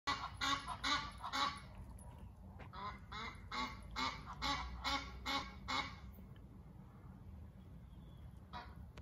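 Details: Two Egyptian geese perched on a building roof, visiting from nearby, calling together: a run of loud, harsh honks repeated in quick bursts, then sparser honks and a last short call after a pause.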